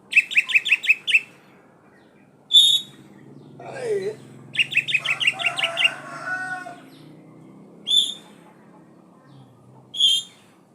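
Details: An actively singing kacer poci, or Oriental magpie-robin, delivers quick runs of repeated chirpy notes and separate ringing whistles. A lower sliding sound and a soft background murmur are also heard.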